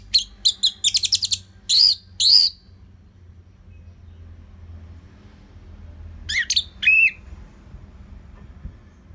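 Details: Orange-headed thrush in steady, relaxed song for training other songbirds: a quick run of short high chips, then two longer ringing whistles, a pause, and a falling whistled phrase ending lower, over a faint low hum.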